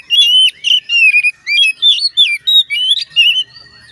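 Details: Oriental magpie-robin song meant to make others of its kind sing: an unbroken stream of loud, varied whistles, slurred and buzzy notes, several per second, for about three and a half seconds.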